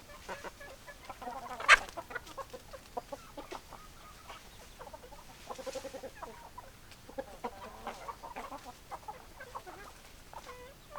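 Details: A flock of hens clucking, one loud sharp squawk early on, then scattered short clucks and murmuring calls from many birds throughout.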